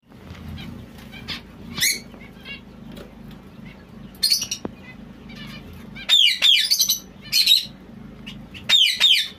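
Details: White zebra finch giving bright, nasal harmonic calls. Faint scattered notes come first, then loud clustered bursts in the last three seconds over a low steady hum.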